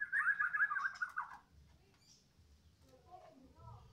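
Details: Female chestnut-capped thrush, newly arrived, gives a short rapid warbling trill of wavering mid-pitched notes lasting about a second and a half, then falls quiet with faint low background rumble.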